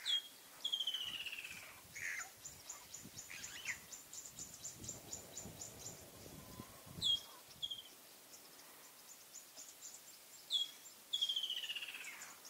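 Blue-breasted cordonbleu giving thin, very high, slurred notes and short chirps, with a run of rapid faint ticks midway and a soft low rumble behind.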